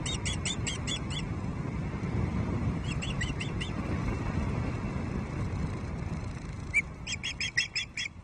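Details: Female osprey at a Loch Arkaig nest, Scotland, on the evening of 5 May 2023, complaining to her mate after a late second fish. Bursts of sharp, high chirping calls, rapidly repeated, over steady low wind rumble.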